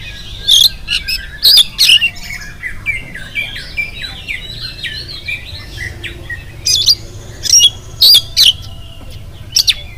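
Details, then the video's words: Oriental magpie-robin in full morning song, used as a lure to prompt other magpie-robins to answer: loud harsh rasping bursts alternating with a fast run of high, warbling whistled phrases, then more harsh bursts near the end. "SUARA KACER GACOR DI PAGI HARI KACER APA SAJA LANGSUNG NYAUT IKUT BUNYI"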